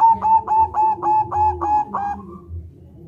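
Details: Local zebra dove in full ngerol song with a rolling opening, a recording used to lure other doves and get them singing; about eight rapid, bubbling coo notes in a steady run, then fading into quiet.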